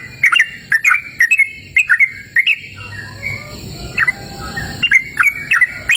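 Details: Outdoors in a cool open natural place, a yellow-vented bulbul gives a series of chirpy, bubbling notes, pauses for about two seconds while faint insect-like buzzing continues, then resumes with several more bright chirps.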